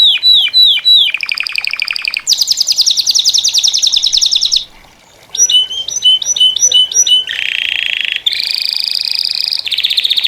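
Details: Several captive Saffron Finches (Sicalis flaveola) singing together in a breeders' gathering, a mix of bright chirped phrases, rapid trills and repeated down-slurred notes, changing every second or two, with a brief pause near the middle.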